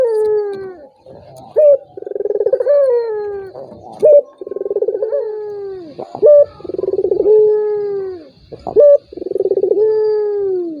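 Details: Turtle dove lure call for prompting a rival that is reluctant to call: four repeated phrases, each a short bright note, a rapid rolling purr, then a long sliding coo falling in pitch. A quiet, clean background.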